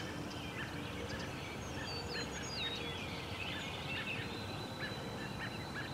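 Thin, high American robin nestling begging calls: short squeaky notes and a few quick falling whistles, over a steady low rumble of background noise.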